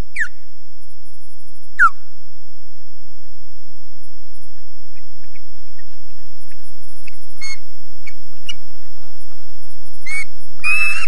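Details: Osprey at a nest at RSPB Loch Garten, Scotland, defending the nest, captured by a low-quality nest camera: sparse, sharp downward-slurred whistles, a few near the start and more, clustered, toward the end, over steady background hiss.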